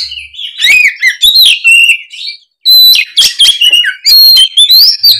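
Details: Oriental magpie-robin singing loudly, used to provoke another bird into answering: rich varied whistles, slurred rising and falling notes mixed with harsh buzzy bursts, phrases delivered in fast clusters with one brief pause midway.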